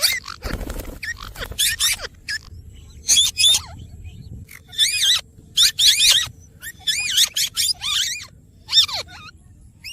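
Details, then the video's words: Green rose-ringed parakeet giving harsh screeching calls in short bursts of about half a second, each made of rapid wavering up-and-down notes, repeated irregularly with quiet gaps between them. "green parrot talking"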